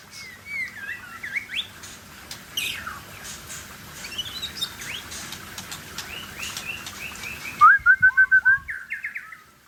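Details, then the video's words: Murai Aceh, a white-rumped shama, in showy song: scattered whistles, upslurs and buzzy twittering phrases, then a loud even run of about eight clipped notes on one pitch, followed by short rising chirps; faint background hum. "Murai Aceh"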